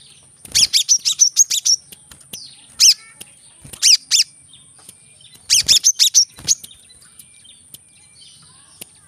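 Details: Brown-throated sunbird, the korlap gacor 'tembakan rapat' style used to stimulate reluctant birds: tight volleys of shrill, piercing chirps, some bursts of a dozen notes, others just two or three, with gaps of silence and a thin steady whine behind.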